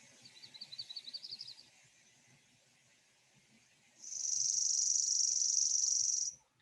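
A Chipping Sparrow delivers a dry, high, mechanical trill, its notes so fast they blur into a steady two-second buzz, after a brief slower, more separated trill.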